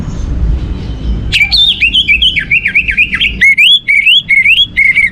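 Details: Used to stir other birds into song, an orange-headed thrush starts after a quiet second with a lively string of wavering whistles and short rising notes repeated quickly.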